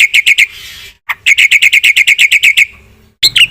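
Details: Black-winged myna in vigorous song with fill-in phrases: quick bright chirps, a hissing rasp, then an even run of clipped notes about five per second, ending in harsh squawks.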